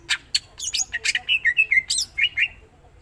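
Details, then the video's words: Greater green leafbird singing a rapid varied phrase of loud sharp chips, squawky notes and slurred whistles, closing with descending whistled notes. "Cucak ijo mana Saja akan ikutan bunyi dan gacor dengar c ijo ini bongkar isian full"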